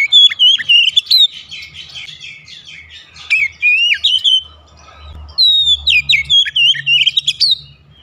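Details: Oriental magpie-robin (kacer), a bird said to be lazy to sing, given therapy so it sings freely: two bursts of rapid varied whistles and sharp high notes separated by a short pause, over a low background hum.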